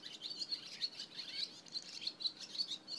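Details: Barn swallows on a July 27 morning: a continuous, fairly distant twittering of thin, high chirps and short warbles, several notes every half second.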